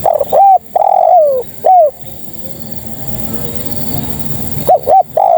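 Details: Female spotted dove calling males: a hooked note, a long coo sliding downward, then a short upswept note, followed by a pause and another pair of quick hooked notes at the end.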